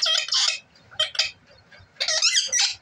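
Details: Pet parrot talking: harsh, high, speech-like bursts in three groups, with a person softly speaking between them indoors.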